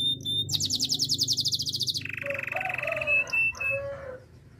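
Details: Belgian canary in its training song: a very rapid, rattling high trill, then a lower, rolling, flat-toned trill with deep warbled notes and a few soft whistles fading out.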